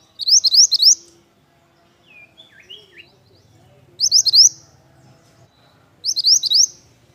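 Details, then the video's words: Vigorously singing pied bush chat repeats a short, high phrase of four or five rising whistled notes three times, roughly every two to three seconds, with faint lower warbles and a low hum between phrases. "BURUNG MANTENAN GACOR MANTAP"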